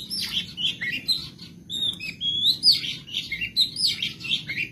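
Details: Madura long-tailed shrike, kept as a songbird, sings a medley of imitated calls for tutoring; wavering warbles and thin slurred whistles run together in a continuous high jumble.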